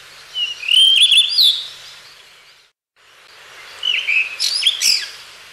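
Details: Blue rock thrush, library recording. Two rich warbling phrases of fluted, slurred whistles and quick chattering notes are separated by a brief silent break, and each phrase lasts about two seconds.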